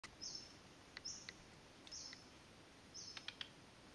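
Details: White-bellied redstart at Doi San Ju, Fang, Chiang Mai, Thailand, giving thin, high, slightly falling call notes about once a second, with short ticking clicks between them, over a quiet background hiss.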